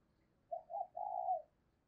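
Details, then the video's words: Decoy spotted dove used to lure wild doves, 2022: a quiet three-part coo, two short low notes followed by a longer drawn-out note, in an otherwise still setting. "tiếng cu gáy - Chim Cu Mồi Thúc Và Gáy Gọi"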